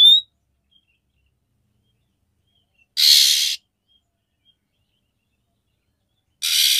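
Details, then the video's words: Calling to stimulate a male's mating readiness, a female oriental magpie-robin gives a brief high whistle, then two harsh, scratchy rasps about three and a half seconds apart, with silence between. "KACER BETINA MEMANGGIL JANTAN, SUARA KACER BETINA UNTUK MEMANCING BIRAHI KACER JANTAN"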